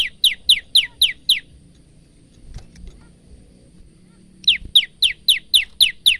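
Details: Bar-winged prinia, an energetic male used as training song for caged birds: two bursts of very rapid high chips, nearly four per second, separated by a quiet gap with faint rustling.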